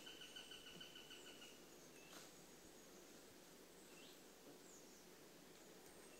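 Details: Eurasian sparrowhawk (Accipiter nisus), call.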